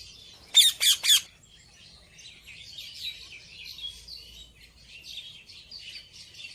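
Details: Ringneck parrot giving three loud, harsh screeches in quick succession, then a stretch of soft, scratchy chattering murmurs that run on quietly to the end.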